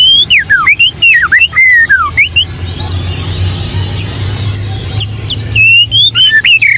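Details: White-rumped shama singing a varied run of clear whistled phrases that swoop up and down, followed by a pause with scattered chips, then more rising and falling whistles, over a low constant hum.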